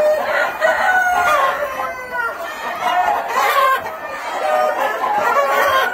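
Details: A pen of black-tailed red Marans chickens, a small breeding project, fills the air with loud cackling and clucking. Several drawn-out, wavering squawks repeat over a constant murmur of the flock.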